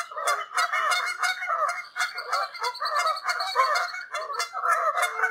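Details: Wild Canada geese honking in flight high above the ground over a large open space in Canada: a dense, continuous chorus of overlapping nasal honks from many birds, pulsing in rapid rhythm.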